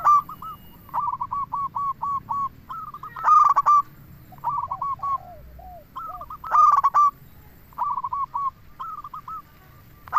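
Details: Local zebra dove singing steadily, a recording for luring wild doves and stirring them to answer. It gives rapid series of soft, clipped cooing notes at mid pitch, broken by louder ringing bursts, repeated every few seconds.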